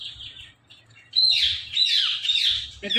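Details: Pet Indian ringneck parrot, described as very talkative, gives a brief run of shrill, squeaky chatter that slides up and down at high pitch after a short quiet start, with a low hum underneath.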